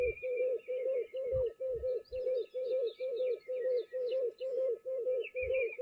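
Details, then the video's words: At a waterhole in Juma on 16 January 2024, a speckled pigeon calls in the background with a steady run of deep, hollow coos, about two a second, over thin high chirps from other birds and low thumps. "You can hear that speckled pigeon calling once again in the background."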